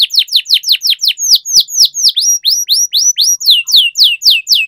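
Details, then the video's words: Canary singing for song training: a long, loud roll of sharp downward-sweeping notes, about four per second, shifting partway into longer slurred whistles before the fast chips resume, with faint clicks beneath. "Canary Singing Training, Kenari Gacor Ngerol Panjang"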